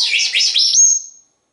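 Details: Pet parrot chattering with its owner: a quick run of high, looping chirps rising and falling, ending in a thin, sharp whistle that fades out, with the owner asking for a kiss afterward.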